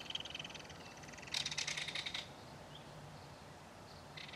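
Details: Nest in a mud bank where a belted kingfisher feeds its baby. A faint rattle opens, then a louder dry chattering burst lasts about one second, followed by quiet.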